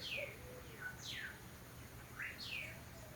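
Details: Mockingbirds singing high notes in spring through jasmine: soft, slurred whistles sliding downward, given in quick succession with a faint lower tone, over a steady background hum.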